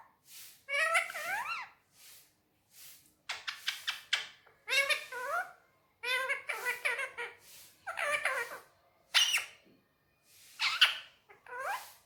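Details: Indian ringneck parakeet talking on a table indoors in Urdu/Hindi, a string of short harmonic speech-like syllables with rising and falling inflections, broken by brief pauses; room quiet otherwise.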